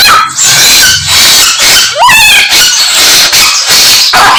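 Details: Samyong song packed with imitations of other birds: continuous high, harsh chatter and buzzy notes with one prominent rising then wavering whistle, plus a faint low hum early on.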